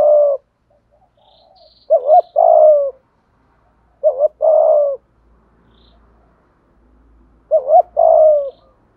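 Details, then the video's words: Spotted dove, 'giọng thổ' voice with 'thúc gù' cooing, repeating its two-part song four times: a quick double hoot then a longer steady low coo, phrases spaced roughly two to three seconds apart in an otherwise quiet setting. "cu cườm gáy đủ bài giọng thổ"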